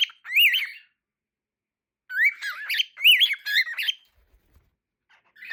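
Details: Two pet cockatiels going wild for the camera give loud, harsh warbling whistles that rise and fall in quick, excited bursts.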